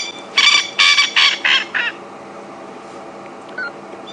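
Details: Male coqui francolin calling in view at Djuma Game Reserve on an April afternoon, another male answering farther off; five harsh, buzzy notes about 0.35 s apart, each slightly lower and shorter, then quiet with a faint distant note.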